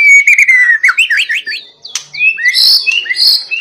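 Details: White-rumped shama in persistent song said to set other shamas singing: a long falling whistle turning into quick looping notes, a short pause, then high sharp whistles and twitters.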